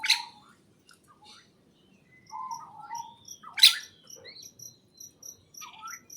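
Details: Greenhouse birdsong: a loud chirp opens, then low whistled notes, another bright burst mid-way, and a steady row of thin high ticks repeating quickly to the end.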